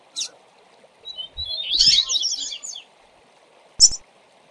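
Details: Double-collared seedeater giving a teaching song for young coleiros: a short chip, then a continuous, rapid, buzzy twitter lasting about a second and a half, closing with one loud sharp note.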